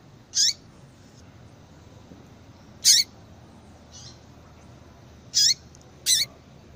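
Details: Yellow-bellied seedeater female giving calls meant to get a male singing: four loud, high, brief chirps at uneven intervals, with one faint softer note between them, against a low steady hiss.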